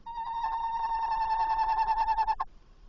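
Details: Tawny owl calling as it arrives at a nest box at 21:45 on 27 August 2024, leaving again shortly after. A steady, slightly wavering hoot with a rough, pulsing texture lasts about two and a half seconds and ends abruptly.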